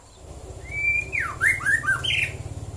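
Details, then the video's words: One phrase of a white-rumped shama's morning song in Prambanan, Klaten, Central Java: a sustained level whistle, then a steep downward swoop and a few looping slurred notes ending on a higher burst, over a low hum. "KICAU BURUNG MURAI BATU DI PAGI HARI"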